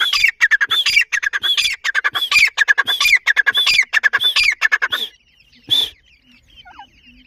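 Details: Grey francolin family with chicks, loud rhythmic series of harsh squawking notes, each with a sharp rising top, repeated rapidly for five seconds, then a single call after a pause.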